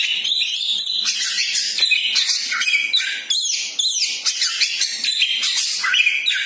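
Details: Champion-spirited magpie-robin, used to rouse a pet bird's temper, delivering a continuous rich song of bright whistled phrases, scratchy trills and quick rising and falling notes without pause.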